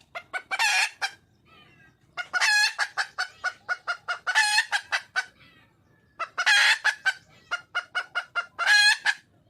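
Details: Junglefowl hen calling for a male in the wild: repeated cycles of a loud, harsh squawk followed by a rapid run of sharp clucks, roughly four a second, continuing throughout.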